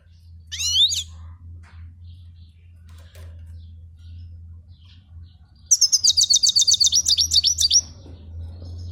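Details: European goldfinch singing: a short high twittering burst early on, then after a low steady hum a rapid run of about fifteen bright, liquid notes repeated quickly for two seconds.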